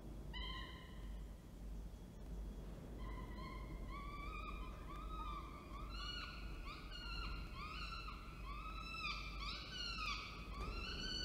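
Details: Male falcon arriving with food and female feeding, Orange, NSW, 19 October 2024. Lone wails at first, then an increasingly dense, overlapping series of nasal, rising cries toward the end, with low rumble throughout.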